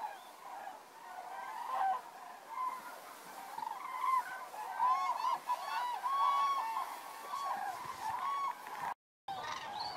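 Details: Common cranes flying in to their evening roost at Federow, Germany, on 3 October 2018, seen unusually close. Loud bugling calls with rich harmonics rise out of a continuous flock chorus, with a short silent gap near the end.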